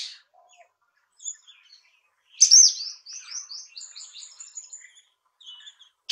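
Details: Orange-headed Thrush in India: after faint scattered notes, a loud high phrase bursts out, followed by a rapid series of thin, descending whistled notes repeated over two seconds, with a few quieter high notes afterwards.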